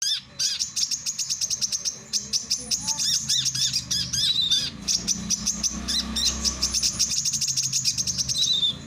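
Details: Male brown-throated sunbird, used for training and luring other birds, singing a fast, high, chattering song of sharp repeated chips and short trills with brief pauses, nearly continuous throughout; faint low background hum.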